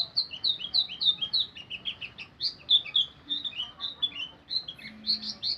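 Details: White-eye singing in 'ngeriwik' style: quick, continuous, high-pitched twittering of short slurred chirps, several each second, loud and steady throughout with no other clear sounds.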